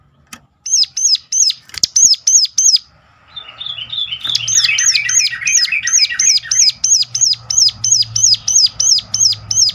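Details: Sunda warbler sounding its piercing call, meant to stir others of its kind to sing: rapid runs of high hooked notes, briefly joined by a lower chattering phrase, then a long steady series at three per second.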